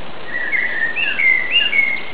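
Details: Chinese blackbird (Turdus mandarinus), of southern China, Indochina and Taiwan, giving a run of mellow, fluty whistles that slur up and down in a steady warble, over a soft low background hiss.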